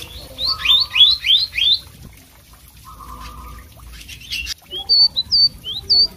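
A Blue Whistling Thrush sings a quick run of five scratchy, rising-and-falling phrases, a low buzzy note, then several clear high whistles.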